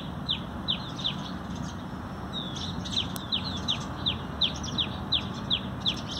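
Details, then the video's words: Sparrows feeding, part of a sparrow conservation effort, recorded 19 November 2020: short sharp chirps repeated roughly every half second in a steady series over a constant low rumbling background. "Feeding of Sparrows"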